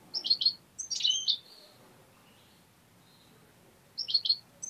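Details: Tame European goldfinch attacking a finger utters clusters of quick, high, twittering chirps, pauses with faint notes, then gives another short twittered burst.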